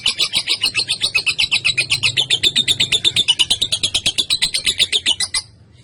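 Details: Young female lovebird kept as a lure and master bird for training others, delivering a long 'ngekek' chatter: a continuous, harsh, high-pitched rattle of about four pulses per second lasting over five seconds, then silence.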